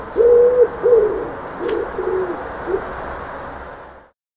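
A dove gives a soft, low, hollow cooing phrase of about five notes, the first two longest, fading over three seconds against faint background hiss.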